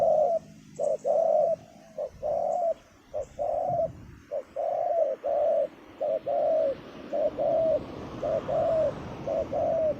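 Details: Deep-voiced spotted dove kept as a decoy to lure wild birds at a ground clearing. It gives a long series of mellow hooting coos in short-long pairs, with faint high chirps from other birds behind.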